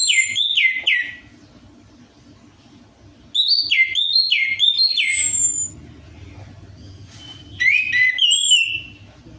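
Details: Orange-headed thrush lure song for a bird that rarely sings: rich looping whistles and slurred notes in three bursts, with quieter gaps and a background hum.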